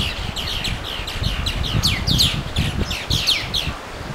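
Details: Songbird chorus at the Watarase River on May 4: many high, quick downward-swept chirps and tweets following each other almost without pause, over a background of low wind-like rustling.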